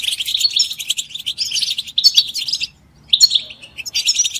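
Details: European goldfinch group chirping used to stimulate caged males to sing: busy tinkling twitters and buzzy notes, a short silence, then renewed bright chatter.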